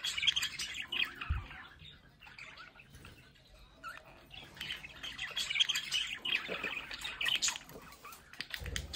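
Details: Pet budgerigars in a home play area by a window keep up a busy, uneven warble of chirps and rasping notes, quieter in the middle, with brief low knocks at the start and end.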